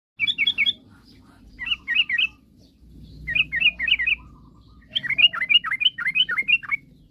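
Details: Sooty-headed bulbul song, used to provoke rival birds into singing: four bursts of quick, bubbly chirped notes, each burst of four to seven notes separated by short pauses, over a faint low hum.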